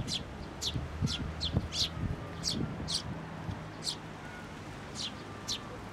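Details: Parent sparrow come for food, suddenly turning fierce at a Tenmangu shrine, 16 May 2024: loud, piercing single chirps spaced irregularly, with a faint low engine-like drone in the background.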